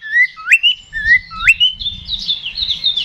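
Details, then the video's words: Oriental magpie-robin provoking a rival to fight: two paired phrases, each a low whistle followed by a sharply rising slur, then a continuous high, scratchy warble. "KACER GACOR NGEPLONG TARUNG !! PANCINGAN KACER PALING AMPUH BUAT MENAIKAN EMOSI KACER AUTO RESPON"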